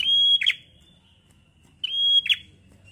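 Bar-winged Prinia song: a long, steady high whistle ending in a harsh, buzzy flourish, given twice about two seconds apart. Only faint low background hum.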